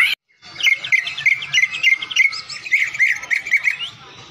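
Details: Full fill-in song of a champion greater green leafbird: a dense, rapid chattering warble of twittering notes running continuously for several seconds at a fairly steady pitch.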